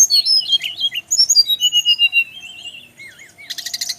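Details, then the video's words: Brown-chested jungle flycatcher male from Bali singing a lively series of high whistles and quick chirps, then a long thin wavering note and a burst of rapid buzzy trills. "suara burung SIKATAN RIMBA"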